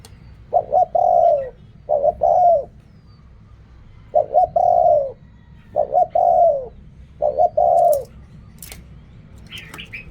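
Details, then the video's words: Spotted dove singing its Thai-style coo, known as riak kham, khu kham, ok rong. Five phrases of two clipped notes and a drawn-out falling coo come about every two seconds. Some higher twittering and clicks follow at the end. "เรียกคำ คูคำ อกร่อง เสียงนกเขาใหญ่"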